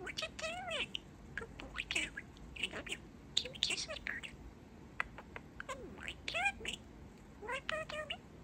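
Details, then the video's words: Talking parakeet, a young male pet, chats in a steady stream of mimicked words: chirpy, speech-like syllables, harmonic rising and falling slurs and sharp clicks, with short pauses throughout. "Talking Parakeet"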